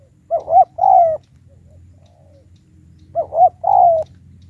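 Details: Lure spotted dove giving a high 'tiểu cườm' call to bring wild doves to fight: two identical phrases about three seconds apart, a quick double coo then a long falling coo, quiet low hum between.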